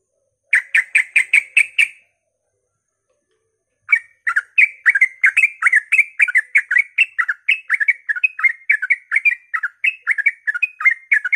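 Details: Sooty-headed bulbul singing in the rapid ropel style at dawn, used to provoke other bulbuls into song: a short burst of seven quick bubbly notes, a two-second pause, then a long run of chirpy, wavering whistles.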